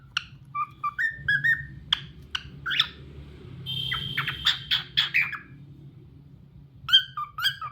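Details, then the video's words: Talkative cockatiel singing a lively run of whistles and chirps, some slurred upward, then a buzzy rattling stretch of rapid notes before sharp chirps return at the end. "Cockatiel Talkative Bird 🕊️ Rio Cute Singing"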